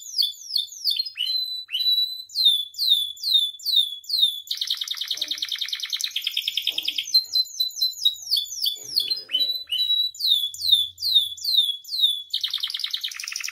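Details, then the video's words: Captive canary singing gacor full isian, used to tutor and provoke other canaries: rapid repeated downslurred whistles alternating with long, dense, rattling rolls and trills, continuous and high-pitched throughout. "MASTERAN DAN PANCINGAN KENARI GACOR FULL ISIAN"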